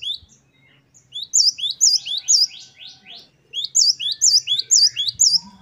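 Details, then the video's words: Great tit singing wucit-wucit phrases: two bouts of some six high, bright, evenly repeated two-part notes, with light low background noise. "Glatik Wucit2 10 variasi Masteran Gelatik Gacor"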